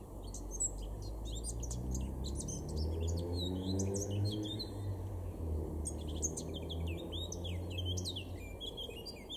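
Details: Male Eurasian blackcap in a garden in Weener, East Frisia, April 2022: two bursts of quick, varied warbling separated by a brief gap, over a strong low rumbling background.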